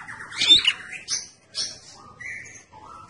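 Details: Red-headed prinia singing eagerly for luring: a loud scratchy squeak, buzzy chirps, then two short level whistles, one higher and one lower.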